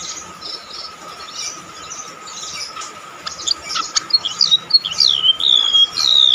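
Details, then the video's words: Golden-bellied gerygone singing shrilly: after a quiet start with faint chirps, a loud series of high, wavering, thin whistles begins about two-thirds through, falling in pitch toward the end, over a steady hum. "rametuk laut gacor sih suara melengking"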